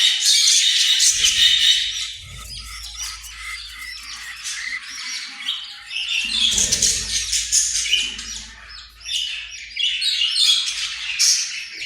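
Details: Australian parrot chattering steadily for about twelve seconds in quick, irregular chirps, clicks and scratchy squawks. Low thuds and rumbles sound underneath at times.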